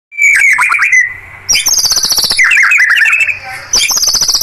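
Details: White-rumped shama (murai batu) singing a provoking lure song meant to anger rival birds: loud whistled notes near one pitch, then harsh bursts, high sweeping warbles and churring rolls, phrases shifting abruptly every second or so.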